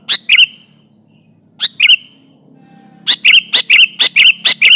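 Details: Sooty-headed bulbul used to lure and press a rival in trapping: a couple of sharp doubled chirps, a pause, then a quick burst of repeated chirping notes with falling whistles, low hum underneath.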